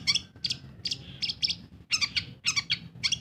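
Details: Kept long-tailed shrike giving scattered harsh squeaky notes in short bursts, with brief gaps between them and a low background hum.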